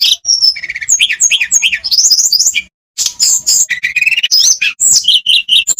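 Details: Olive-backed tailorbird with a rapid, high-pitched song of whistles, rising slurs and repeated chirps, one clear silent gap near the middle, used for training birds that are reluctant to sing.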